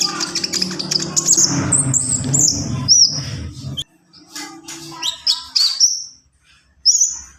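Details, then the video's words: Javan pied starling singing actively in the full isian style: a low rumbling hum fills the first seconds, then shrill high whistled notes and slurred squeaky phrases follow, broken by a short silence and a final piercing whistle. "SUARA KONIN GACOR FULL ISIAN"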